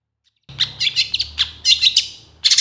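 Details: Long-tailed shrike full 'isian' song, a master for training other birds: after half a second of silence, short clusters of high, scratchy chirps come in bursts over a low hum.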